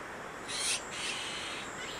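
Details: Azure-winged magpie raising chicks at Maeji-ri, Wonju, Korea: one short, harsh, hissing rasp of about a quarter second, high and broad, followed by faint fainter noise over a steady background hiss.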